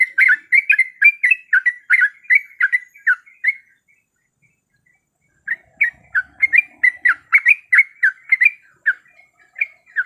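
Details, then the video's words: Female sooty-headed bulbul in breeding condition calling a male: rapid chattering chirps for several seconds, a two-second silence, then another busy run of bright notes. "Suara Pikat Trucuk Gacor"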